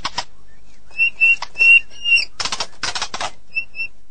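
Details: White-rumped shama singing: clear flat whistles near mid-high pitch repeated in short runs, broken by dry clicking, rattling bursts, then two soft whistles at the end.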